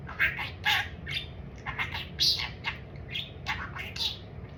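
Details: Captive talking budgerigar that chatters about food, giving a run of short raspy squawks and chirps roughly every half second, with a low background hum.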